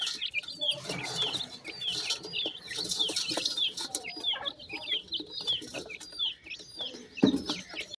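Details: Many grey francolin chicks feeding together, known locally as dakhni teetar, make a dense chorus of overlapping short falling peeps, with rustling and a loud thump near the end.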